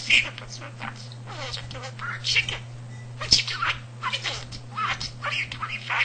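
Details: Indoor pet budgerigar that mimicked household talk, nearly 300 words and sentences, and copied the family cat's purring; continuous rapid, buzzy, speech-like chatter with rising and falling syllables throughout, low mains hum underneath.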